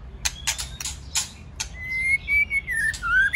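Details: Male white-rumped shama giving tạch clicks with a female singing, played to stimulate singing: a rapid run of harsh clicks, then a long smooth whistle that wavers, dips and rises at the end.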